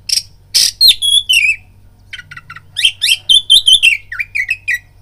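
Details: Oriental magpie-robin singing to provoke fighting: harsh rasps and clear whistles open the phrase, then a quick string of chirps and slurred whistled notes, with a low hum underneath.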